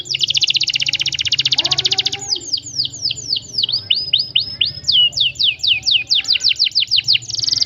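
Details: Canary in a long rolling song with tight rolls: a dense rapid rattling trill for two seconds, then strings of quick downslurred chirps repeated several per second, ending in another rolled trill.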